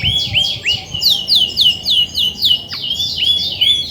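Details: Grey-and-white female Belgian canary singing when ready to brood, caged: a steady series of loud swooping whistles, each sliding downward, about three per second, clear over a quiet room.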